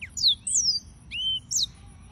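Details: Brief yellow-fronted canary (Serinus mozambicus) phrase: a few high downward-sweeping whistles and a long level whistled note, spaced by short gaps.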